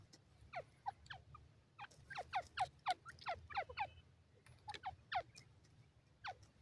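A francolin gives a rapid series of sharp, steeply falling notes in quick bursts, several per second, over a low steady hum.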